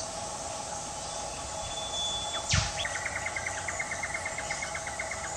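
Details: Australian whipbirds in the bush undergrowth calling each other: a drawn-out thin whistle ending in a sudden cracking whip sweep, then a quick answering string of evenly spaced chips for over two seconds; insects buzz throughout.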